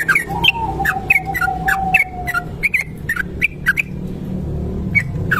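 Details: Sooty-headed bulbul of the kebo type giving a long continuous ropel song, kept as a lure recording: short bubbly whistled notes in loose bursts, with a faint steady low whistling tone and low background hum.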